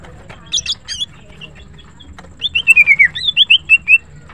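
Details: Greater green leafbird singing in the morning: a few high chirps, then a quick run of clear whistled notes sliding down and repeating about ten times in under two seconds.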